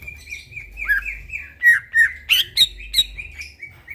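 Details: Greater green leafbird in energetic song at midnight, used as a training recording. Rich, warbling whistles glide and bend, then loud sharp chirps come in quick succession. A soft low hum sits in the background.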